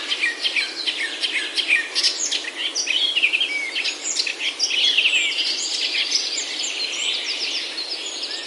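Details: A dense dawn-like chorus of birds in a Himalayan oak forest in Himachal, India: rapid overlapping chirps, trills and twittering notes pour out continuously and fade slightly toward the end, over a constant background hiss.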